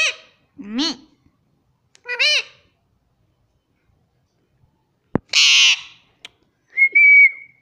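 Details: Pet Indian rose-ringed parakeet known for saying "mummy" gives two short, nasal, speech-like syllables, a sharp click, a loud harsh screech, then a clear level whistle to end; sparse calls with silent gaps, indoors.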